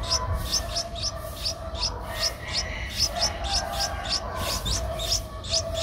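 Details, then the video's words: Eleven-day-old Streak-eared bulbul nestling in Ubon Ratchathani, Thailand, 13 April 2023, giving a steady series of short, high, sharp peeps about twice a second, over faint lower tones and a low hum. "นกปรอดสวน อายุ 11 วัน : Streak-eared Bulbul"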